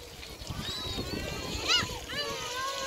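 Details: Gulls at Gyeokpo beach on Korea's west coast give a few harsh, arching mewing calls, clustered near the end, over a steady wash of waves and wind.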